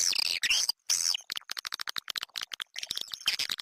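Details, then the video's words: Lure sound for attracting swiftlets: two harsh twittering bursts, then a fast series of short, lower clicks and chirps, ending in rough chatter. "Suara panggil walet"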